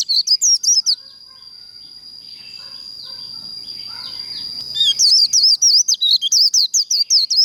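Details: Japanese white-eye in líu đấu contest training gives brief bursts of high twisting chirps. A quieter stretch carries soft background sounds and a steady faint tone, then the rapid chattering notes resume.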